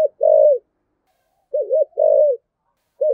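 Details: Decoy spotted dove singing in the "giọng thổ" style. Each low phrase starts with a long, level coo that trails off, then a quavering double coo and another drawn-out note, separated by short silences.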